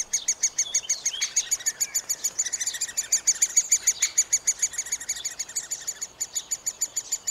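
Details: At a cavity nest, middle spotted woodpecker chicks being fed call nonstop, a dense run of thin, high, ticking notes at a fast steady pace, swelling and overlapping in the middle, recorded with a Panasonic FZ 2000.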